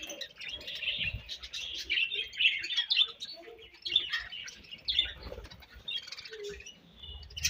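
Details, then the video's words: Several pet budgerigars chatter as they eat, overlapping high warbling chirps and buzzy trills running continuously, with brief lower squeaks and faint rustle underneath. "𝑪𝒖𝒕𝒆 𝑩𝒖𝒅𝒈𝒊𝒆𝒔' 𝑪𝒉𝒊𝒓𝒑𝒊𝒏𝒈 𝑺𝒐𝒖𝒏𝒅𝒔 𝑾𝒉𝒊𝒍𝒆 𝑬𝒂𝒕𝒊𝒏𝒈"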